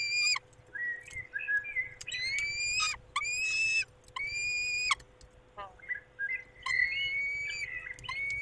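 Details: Male peregrine falcon looking after the females at a Polish nest, 23 May in the evening: drawn-out whining notes alternating with harsher layered wails, calling nearly continuously over eight seconds.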